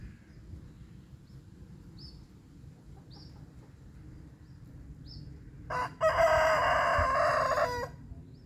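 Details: A rooster crowing in the morning while marking his territory, one of a series of 17 crows; a single loud, harsh, sustained crow of about two seconds, preceded by faint high whistled notes of other wild birds over low rumbling background noise.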